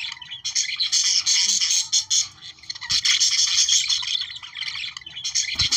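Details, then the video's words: Chorus of budgerigars, played to encourage breeding, keeps up a busy high-pitched twittering warble, scratchy and buzzy, pausing briefly around two and three seconds before surging again. "Periquitos 🦜australianos para activar su reproducción"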